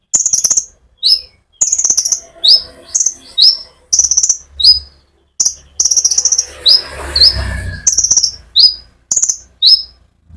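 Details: Energetic sunbird (konin) song used as a lure for other sunbirds; high buzzy trills alternate with sharp falling chirps in a steady run, with a soft low rumble underneath.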